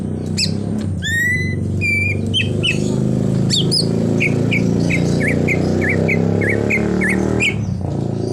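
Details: Greater green leafbird singing full 'isian' mimicry with a car-horn imitation: a few bold sweeping whistles, then a long row of short twisting notes, all over a loud low rumbling background.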